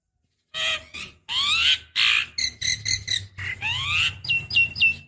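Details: Javan myna female calling to a male as a decoy: loud, fast run of harsh rasping notes mixed with rising whistles and short clipped chirps, ending in three quick high whistled notes.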